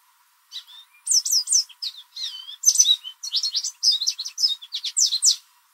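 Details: Loud spring song of an American goldfinch visiting a backyard, thought to be a mating song to attract other goldfinches: a variety of short bright chirps and slurred twitters, delivered almost continuously for about five seconds.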